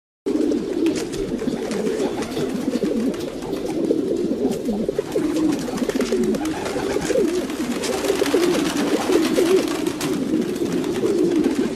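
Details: Group of domestic pigeons filling the air with overlapping guttural coos, a constant wavering hum of calls with occasional sharper clicks and scuffles.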